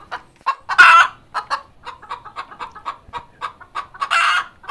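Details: Laying hen giving an egg-laying cackle, a quick train of short clucks with two loud, rasping squawks, one near the start and one near the end.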